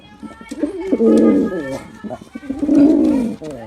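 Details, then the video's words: Two drawn-out, resonant coos from a performing male pigeon, each a low warbling phrase that rises in loudness and then fades. "Male Pigeon Super Performance || Male Pigeon Sound"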